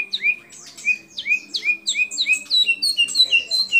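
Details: White-rumped shama singing with copied calls of other birds such as the white-eared bulbul, cililin, lovebird and canary; a fast run of short rising whistled chirps, several per second, bright and high.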